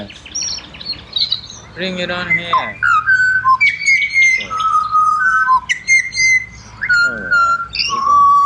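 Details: Pied butcherbird performing its song in Australia: a harsh, grating burst early on, then a long run of clear, mellow whistles at varied pitches, some level and some dipping, with brief high chips in between.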